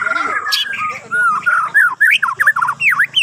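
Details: Bornean white-rumped shama in morning song to encourage other songbirds: smooth whistled notes, then a lively sequence of short rising and falling slurred whistles about every quarter second, over a thin constant high tone.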